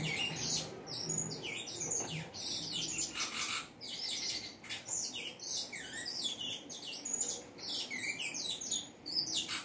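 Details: Saffron finch singing at length: a dense run of bright, high chirps and quick down-slurred notes, jumbled together with few pauses across the whole stretch.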